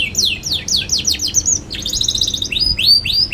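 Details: Young canary singing briskly, meant to coax other young canaries into learning song: quick falling chirps, a burst of rapid trilled notes, then arched whistled swoops repeating.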